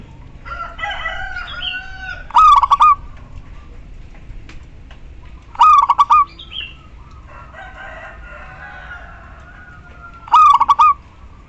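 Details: Local female zebra dove calling the male, used as a lure for silent males: three stuttered coo phrases roughly four seconds apart, each of several quick notes, with other birds chattering and whistling faintly between them.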